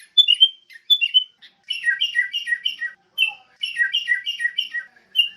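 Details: Sooty-headed bulbul song used as a tutor recording for training songbirds: short clear whistled phrases, some falling, then a run of bubbly, repeated two-part notes with brief pauses between bursts.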